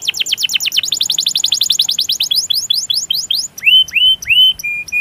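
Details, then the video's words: Canary master song for stimulating other canaries: a rapid roll of repeated descending notes that gradually slows into wider sweeping chirps, ending with sustained whistled notes. "Masteran Suara Burung Kenari Ngerol Panjang Cuit Cuit emosi"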